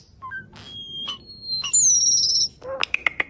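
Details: Starling making human-like sounds: scattered short whistles, a long drawn-out high whistle sliding slightly downward, then a quick burst of harsh buzzy notes and sharp clicks.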